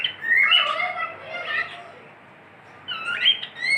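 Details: Pet cockatiel gives a warbled whistled phrase, pauses briefly, then resumes with another bright whistling burst.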